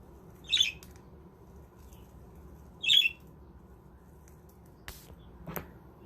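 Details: Two grating squawks from captive budgies in a self-built aviary village, spaced roughly two and a half seconds apart, then a couple of soft knocks and clicks.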